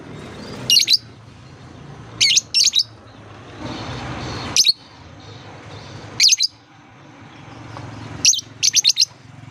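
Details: Lovebird chirps played as a lure for young birds learning to sing: sharp, high bursts singly and in quick runs of two to four, roughly every two seconds, over background hiss.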